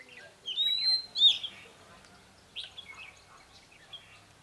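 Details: Red-whiskered bulbul kept as a decoy, giving ché song to draw out rivals: two loud whistled phrases with sliding, slightly buzzy endings, followed by scattered quieter chirps.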